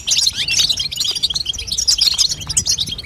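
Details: Fast, tinkling chatter from a female European goldfinch, used to spur a young goldfinch to sing; crowded high chirps and buzzy flourishes flow without pause at a steady level.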